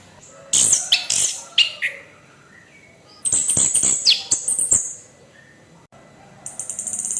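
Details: Orange-headed thrush kept in a cage delivering harsh song used to provoke other birds: two bursts of high, grating, rasping notes with quick descending slurs, then a buzzy trill at the end.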